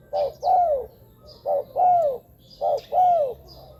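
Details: Spotted dove calls meant for luring wild doves to ground, branch or trap-cage decoys: three paired cooing phrases, each a short low coo followed by a longer, falling, throaty note, about a second apart, with faint high chirps in the background.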